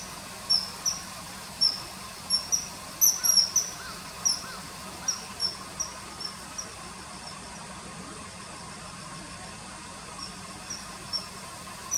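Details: Common kingfisher seen along a river in early September 2020, hovering and catching small fish, with its call dubbed in: thin, high whistled 'tsee' notes in quick irregular series, fading out after about seven seconds, over a steady background hiss.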